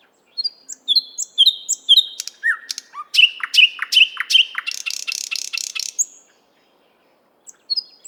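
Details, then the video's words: Nightingale singing in the Park of the 50th Anniversary of October in Moscow, recorded with a RODE NTG-3 microphone and Zoom H6 recorder. High whistled notes and slurred downward phrases lead into repeated mid-pitched notes, then a fast, dry rattling trill, a brief pause, and soft high notes. "Соловей поёт"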